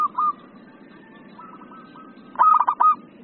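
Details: Zebra dove in an excited, emotional singing mood, used for training other birds and for luring: brief mellow cooing notes, then a quick stuttering burst of staccato coos near the end.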